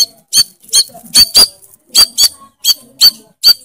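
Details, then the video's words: A white-rumped shama's loud singing here reduces to a steady series of sharp, high clicking notes, some doubled, about three per second. "MURAI BATU GACOR FULL ISIAN TEMBAKAN KENCANG, KICAUAN YANG SANGAT MENGGAIRAH KAN MURAI BATU ISTIMEWA"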